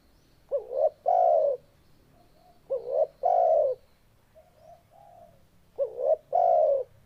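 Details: Spotted dove song heard close: three phrases, each a quick rising double note and then a long mellow coo, spaced about two and a half seconds apart, with softer distant coos between.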